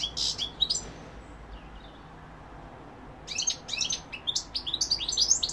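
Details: Goldfinch song in two parts: a brief twittering phrase, a quiet gap of about two seconds, then a rapid stream of high liquid chirps, trills and tinkling notes.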